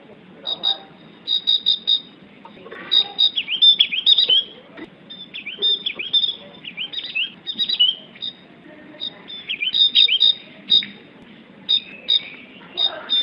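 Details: Javan grey-throated white-eye (opior Jawa) singing: a long, varied, chattering song of high, rapid twittering notes and short trills in irregular bursts, with a soft background murmur.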